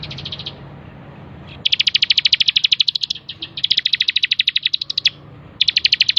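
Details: Bar-winged prinia singing actively, kept as a master recording for training birds: rapid trills of sharp, high clicking notes, each burst lasting about a second and a half, separated by short pauses, over a faint low hum.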